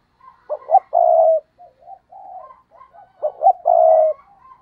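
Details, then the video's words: Decoy spotted dove giving a stuttering coo (gù cà lăm) to provoke wild doves: clipped low hooting notes, then a long steady coo, with soft murmuring coos between two full phrases. "Gù Cà Lăm - Chim Cu Mồi Thúc Gù Kích Bổi Cực Nhạy"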